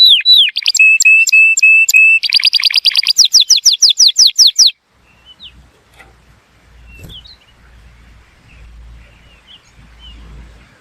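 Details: For teaching young canaries and stimulating males, an Atlantic canary sings slurred whistles, a sustained note and a run of fast sweeping repeated notes for about five seconds, then near silence with faint chirps.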